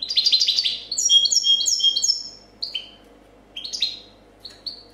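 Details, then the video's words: Champion European goldfinch of 2014 in copia song: fast, loud, rippling high twittering for over two seconds, then spaced pairs of descending chirps. "Chardonneret chant copia champion 2014"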